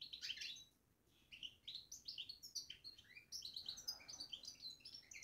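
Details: Babbling from a caged European goldfinch: a dense, lively stream of high twittering notes and clipped chirps, with one short pause near the start and then continuous fast chatter.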